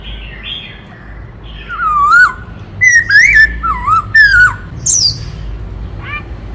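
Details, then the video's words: Black-throated laughingthrush in varied many-voiced song: after a quiet start, rich whistled phrases rise and fall, with one high squeaky note near the end and a short whistle after a pause. "Tiếng Chim Khướu Rừng Hót Đảo Nhiều Giọng Hay Kích Bổi - Khướu bạc má hót"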